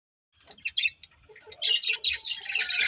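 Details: Budgerigars, a family group of pet budgies, start with scattered sharp chirps and squawks, then break into a dense, scratchy, overlapping chatter that carries on to the end.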